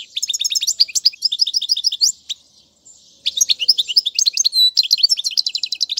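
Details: European goldfinch song for young birds to learn: fast jingling chips and rattles, a short lull around the middle, then renewed bright twittering with a buzzy note.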